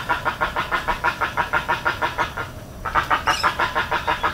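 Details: Steady run of rhythmic guttural pulses from a spoonbill in Everglades National Park, about three per second, pausing briefly before resuming, with one thin high note from another bird.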